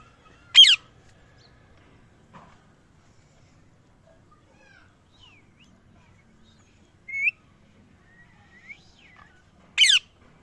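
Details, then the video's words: Parrot calling: two loud, harsh, rasping screeches about nine seconds apart. A single short, rising chirp falls between them, over a quiet background. "Parrot Natural Sounds | Parrot natural voice | parrot Chirping sounds"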